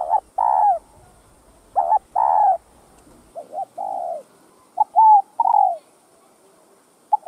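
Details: Cu gáy, the spotted dove, giving a full set of calling, urging and cooing phrases meant to rouse other doves: deep soft hooting coos, paired and triple notes with longer swelling final coos, recorded quietly without other sounds.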